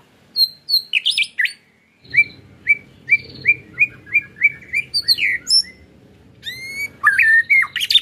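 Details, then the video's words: Caged-bird stimulation recording of a white-rumped shama: high whistles at the start, then a steady series of short clear notes repeated about twice a second, ending in bright varied phrases. "PAncingAN MURAIbatu KETREKAN murai bikin mb mu bongkar isian"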